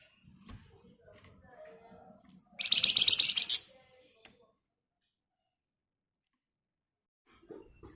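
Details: Javan white-eye singing in the rapid 'ngebren' style, used to lure caged birds into replying: a single bright, buzzy, tightly packed trill of about a second amid scattered soft chirps and then quiet.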